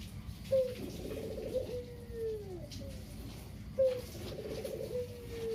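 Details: A talkative caged Barbary dove, a local puter whose mate died, gives two kugeru coos, each a bright clipped first note followed by a trilled, slowly falling roll. The cooing serves as a lure to make other doves call.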